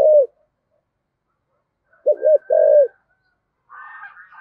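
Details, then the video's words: Spotted dove in 'giọng thổ' voice: one short coo, a pause, then a dipping double coo and a longer hollow coo under a thin high tone, followed by a fainter buzzy, higher-pitched sound at the end. "cu gáy giọng thổ giọng hay thúc gù bổi nghe gáy theo sung mãn"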